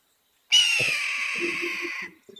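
A Red-tailed Hawk gives a single hoarse, rasping scream, held for about a second and a half and sliding slightly downward, with a faint room murmur after it.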